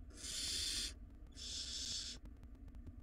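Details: Two loud, long hissing screeches, each under a second, from wild barn owl chicks fighting over a very large rodent inside their nest box, with faint ticking and hum between.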